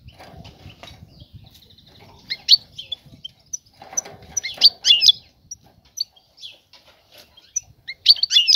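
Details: Female European goldfinch calling the male to mate, prompting nest building; short bright chirps and twittering notes in scattered bursts, louder clusters near the end, with faint low rumbling early on.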